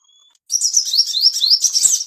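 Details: Ashy tailorbird used as a master song to bring birds into breeding condition: rapid high, thin notes sweeping upward again and again in a dense, continuous chatter, with a brief faint whistle before it begins.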